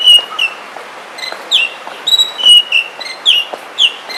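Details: Oriental magpie-robin in the forest, singing a rapid string of clear whistled notes, some level and some sliding downward, several per second in varied order, against steady background hiss.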